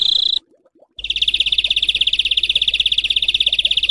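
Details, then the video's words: Coarse 'besetan kasar' material for training songbirds: a brief buzzy rattle, a short near-silent gap, then a continuous, fast, evenly pulsed harsh trill running to the end. "Masteran Besetan Kasar Mematikan"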